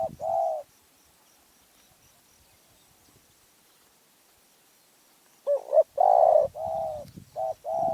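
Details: Spotted dove from Phrae, Thailand, with a small, fierce voice: one mellow coo at the start, a long quiet stretch, then a burst of clipped and drawn-out coos near the end with some low rustling.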